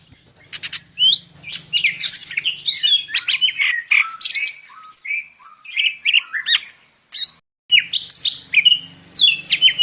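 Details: Medan-type greater green leafbird pouring out full isian song. A continuous fast medley of chirps, slurred whistles and buzzy notes, with a brief pause near seven seconds.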